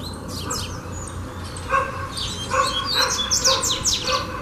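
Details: Double-collared seedeater (coleiro) singing in a song-training video: quick, high twittering phrases of sharp chips and slurred notes, with lower barking-like sounds and steady background hum beneath.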